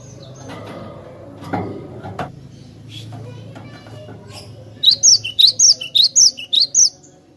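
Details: Lure recording of a cinereous tit: after low rustling and a few faint knocks, a clear, regular run of about eight sharp high chirped notes rising then dropping, evenly spaced.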